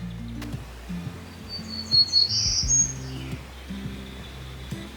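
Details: In the Texas Hill Country in the second half of March, an endangered Golden-cheeked Warbler sings one high, buzzy, slightly rising phrase about a second long, over a low steady hum and faint background chirps.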